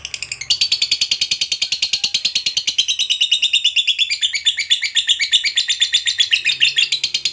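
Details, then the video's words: A lovebird gives its long "ngekek panjang" chatter: an unbroken trill of rapid, shrill, harsh notes pulsing about six times a second throughout. "SUARA BURUNG LOVEBIRD NGEKEK PANJANG"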